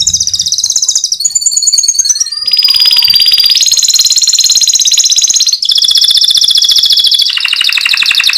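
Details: Canary song, said to make other canaries answer at once: loud, sustained rapid trills held on level pitches, each lasting one to three seconds before shifting abruptly higher or lower, with one brief lower whistled note.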